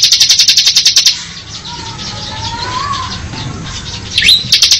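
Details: Bar-winged prinia giving ngebren song: a second of rapid high pulsed trill, a pause with a faint low rising whistle, then a sharp upswept note and the fast trill resumes.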